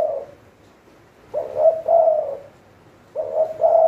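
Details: Spotted dove used as a decoy bird for trapping, giving low cooing phrases of two or three soft notes, each phrase lasting about a second, repeated roughly every two seconds, with a faint low hum behind.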